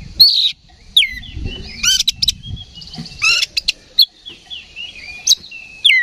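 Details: Oriental magpie-robin answering a fighting lure, mixing descending whistled slurs with grating rattles and clicky chips; a short low rustling noise sits under the first half.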